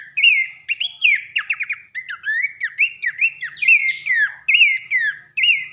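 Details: Abbott's babbler (pelanduk semak) giving a loud whistled 'nembak nyiul' training song: a quick run of clear, slurred whistles, rising then falling, repeated about once a second with some sharp downward-swept notes between them.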